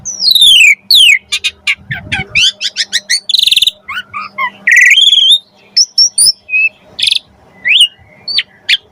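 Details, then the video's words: Asian pied starling singing a full, varied lure song to draw starlings into song: long falling whistles, rapid stuttering chirps, a dense buzzy burst and scattered sharp upward whistles between short pauses. "Jalak Suren Gacor Full Isian Pancingan Burung Jalak Agar Cepat Gacor"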